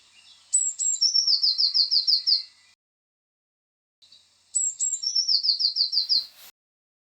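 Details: Eurasian blue tit sings twice during a dawn chorus on a UK smallholding: two thin, very high seeping notes, then a quick silvery trill of about eight even notes. The surroundings are otherwise quiet.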